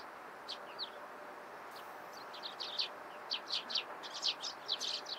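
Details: Eurasian tree sparrows in the morning: sparse high chips at first, building into louder, closer-spaced chirps toward the end, over a constant background hiss.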